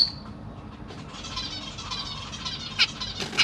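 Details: Zebra finch family in a large cage, Black Cheek birds with juveniles and new fledglings fed by the parents, June 2023: a thin high tonal note at the start, then two loud abrupt chirps near the end over soft chatter and a constant low mechanical hum.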